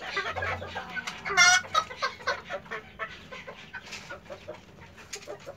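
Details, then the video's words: Hen laying an egg, with a loud squawk near the start followed by a series of shorter, fading clucks and a low background hum. "Gallina poniendo un Huevo"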